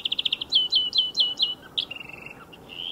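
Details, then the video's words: European greenfinch singing beside a motor racing circuit: a quick run of bright repeated notes, then twittering phrases and a drawn-out buzzy wheeze at the end. "VERDIER d'EUROPE - Chant remplacé pour cause de grand bruit"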